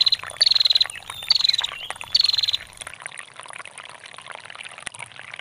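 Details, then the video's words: Female bar-winged prinia ngetir calling: three quick high trill bursts in the first few seconds, then only the bubbling and trickling of water. "SUARA PRENJAK BETINA GACOR NGETIR PANJANG"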